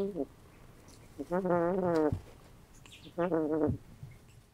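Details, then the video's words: Roman Tufted goose sleeping at night in an indoor tub beside two ducks, not yet fully feathered; two long nasal, reedy snoring breaths with slight wavering pitch, separated by a quiet gap. "Do Geese Snore?"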